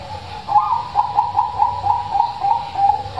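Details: Loud-voiced zebra dove song, used as a lure to prompt quiet doves to sing: a fast string of short cooing notes, pulsing about four times a second at a steady pitch, over a low background hum.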